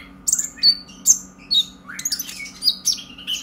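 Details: Purple-throated sunbird, a young brown-breasted bird just past its speckled stage and still learning to sing, chattering excitedly. Sharp high chirps and squeaky notes come in short irregular bursts, with some rising slurred notes near the end and a faint steady hum behind.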